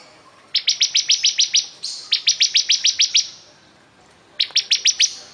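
Bar-winged Prinia singing three quick bursts of high, sharp repeated notes, about eight per burst, each run lasting a second or so.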